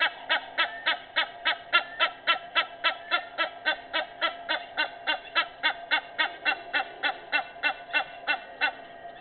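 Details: A sustained, metronomic series of hoarse honks from an Egyptian goose at 06:25 on 18 May 2019, over thirty notes in nine seconds, softening slightly near the end.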